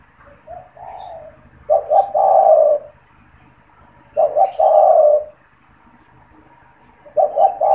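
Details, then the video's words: Caged spotted dove that coos at any time, used to trigger other doves and for trapping; a soft opening note, then three phrases of quick notes and long mellow coos, faint bird chirps behind. "SUARA PANGGILAN DAN PANCINGAN TEKUKUR TERBARU | TEKUKUR GACOR BAGUS BUAT PIKAT"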